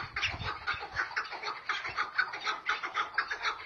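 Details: Chukar partridges calling back and forth in a duel: a steady run of harsh, clucking chuk notes, about two per second, overlapping and continuing without pause, over a low rumble.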